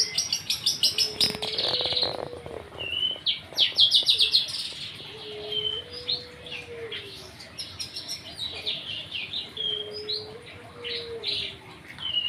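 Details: Long-tailed shrike in lively song, imitating other birds, with other birds answering. Busy, high, scratchy chattering phrases and rapid twittering bursts are heard, along with a repeated low, drawn-out whistle that slurs up and down.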